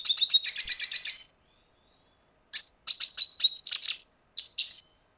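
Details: Red siskin of Venezuela: a quick burst of high, rattling twitters, a pause of over a second, then a run of separate chirps and buzzy phrases.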